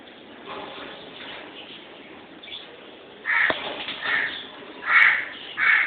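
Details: Two pet lovebirds: soft background chatter, then a sequence of loud, harsh screeches in the last three seconds, roughly one every half second.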